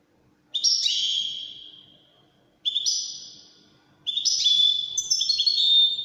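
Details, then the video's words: Wedani-style European goldfinch song in separate bursts: two short, high, falling twittered phrases with pauses between, then a longer run of chirps and clear whistled notes. "تغريد طائر الحسون الويداني"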